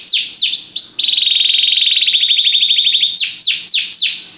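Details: Belgian canary singing during song training: fast high downward-sweeping notes, then a long, even, rapid buzzing trill for about two seconds, closing with several loud sweeping slurs.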